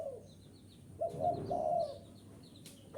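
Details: Spotted dove used to attract wild doves, a single short run of soft, husky coos after a pause, with a faint hum and a click near the end.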